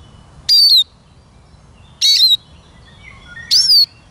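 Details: Eurasian siskin singing: short, bright, high notes with a slurred, downward-sliding whistle, repeated about every one and a half seconds against a quiet background.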